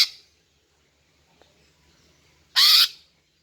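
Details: Female greater green leafbird call meant to lure males and get them singing: the tail of one harsh note, then a long silence and a single loud, grating burst lasting about a third of a second.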